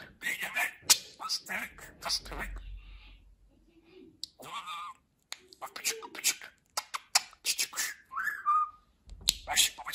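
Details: Talking budgerigar kept as a pet, delivering dense scratchy speech-like chatter with a few warbled whistles near the end, a soft low thump midway and a short quiet gap.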